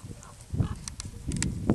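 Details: Griffon vulture flying over Zaprikraj in the Julian Alps, Slovenia, giving low, rough grunts and brief hissing bursts, deep and guttural, over under two seconds.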